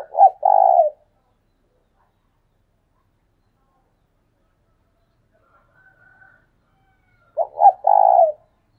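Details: A decoy spotted dove calling vigorously gives two cooing phrases about seven seconds apart. Each phrase is two short, abrupt notes and then a drawn-out, throaty purr. A faint soft murmur is heard between them.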